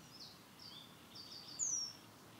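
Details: Eurasian penduline tit during nest building at Tidö-Lindö, Västerås, in 2010. It gives one thin, very high, descending whistled call late in the recording, over soft hiss and faint distant high chirps.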